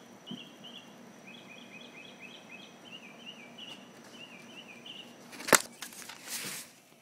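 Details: At 3 AM on a clear late-May night in Florida (20 May 2012), a distant northern mockingbird sings, repeating short chirpy phrases three or four times before switching; a faint steady high whine throughout, handling thumps at the end.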